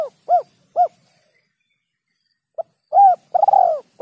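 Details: Spotted dove lure call with rare kuk 2 and kuk 3 endings: two short hollow kuk notes close one phrase, silence follows, then a new phrase opens with a tap, a mellow coo and a long vibrating coo.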